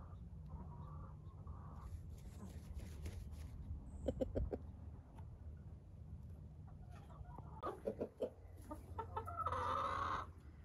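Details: Hens and roosters at the end of the day being said goodnight to: soft clucks, a quick cluster of short pulses midway, then louder clucking and a harsh drawn-out squawk near the end over low rumble.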